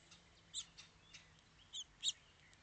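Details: House finch gives three brief, bright, high chirps, one alone and then a quick pair a second later, over faint background twittering.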